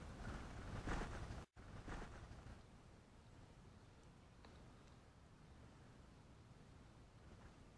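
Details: Faint, hissy rustling background with a brief dropout, and no animal calls.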